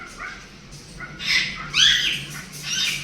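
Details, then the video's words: A pair of cockatiels at play, singing: soft whistled notes at first, then two loud raspy squawks with a sliding whistled tone, ending in a fainter chirp. "Two cute cockatiels playing and singing cookie"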